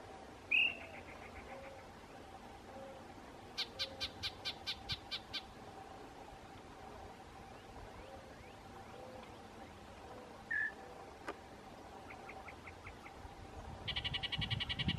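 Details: Yellow-breasted Chat at Rattlesnake Springs, New Mexico, on 6 May 2016, chattering, calling and singing a jumble of whistles, harsh notes and quick rattling chatter.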